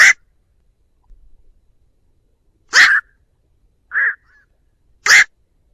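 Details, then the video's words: Flock call of a black-crowned night heron, a trapping lure: loud harsh croaks about every two to three seconds, with one softer tonal bark between them, no other sounds present. "Tiếng Vạc gọi bầy"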